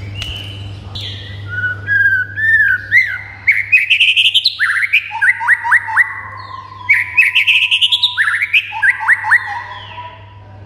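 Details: White-rumped shama song meant to excite other birds into singing: a long, varied stream of whistles, sweeping slurs and clustered rapid notes, repeated upward flicks in the second half, constant low hum behind.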